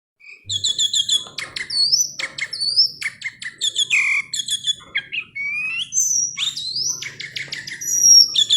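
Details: Tame sooty-headed bulbul singing a lively run of short whistled and chirpy notes, some rising and sliding, interspersed with brief sharp chips and a few longer rising whistles, heard close with little background noise.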